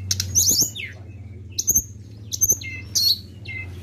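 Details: Flowerpecker lure recording: short, sharp, very high chirps in clustered bursts, some dropping quickly in pitch, spaced about half a second apart, over a steady low hum.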